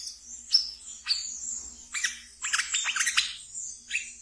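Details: Ngeriwik song of a kept wiceh (brown-throated sunbird), used to lure and train raw birds: quick high squeaky chips and clustered rapid downslurred notes mid-clip, ending with a short buzzy phrase.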